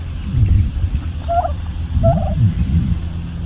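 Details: A pet hen turkey makes soft, low, bubbly popping sounds and short clucking notes in two brief bursts over a rumbling low background.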